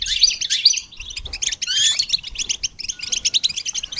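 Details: Song of goldfinches meant as training stimulation for songbirds: loud scratchy twittering at the start, then buzzy rolling trills and quick chirp series continuing without a break.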